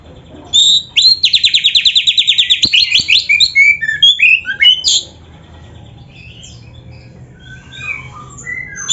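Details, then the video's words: Oriental magpie-robin imitating a canary: a loud, rapid rolling trill of about sixteen evenly spaced notes, followed by chattering whistled phrases, then quieter scattered chirps. "SUARA BURUNG KACER GACOR CANARY - MASTERAN KACER GACOR FULL ISIAN KENARI"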